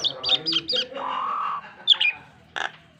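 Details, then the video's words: Model song of a Nias hill myna for training pet birds: a few sharp high whistles and squawks, a sustained nasal tone, then a final harsh burst. "BURUNG JALAK NIAS GACOR FULL ISIAN"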